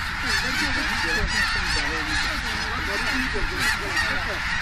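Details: Snow geese in enormous numbers landing at Richmond, British Columbia, Canada, 21 October 2005; a thick clamour of short, wavering honks from countless birds, rising and falling in a continuous, churning wall of sound.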